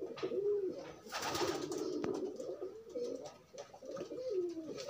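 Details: Pigeons cooing during courtship and pairing while roaming free rather than caged: low, rolling coos with rising and falling bends, a burst of wing or scuffling noise near the middle.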